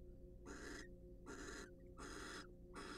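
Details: Wild barn owls courting and preening in a nest box let out quick raspy hisses, four bursts in three seconds, each a bit under half a second long, with a faint low hum behind.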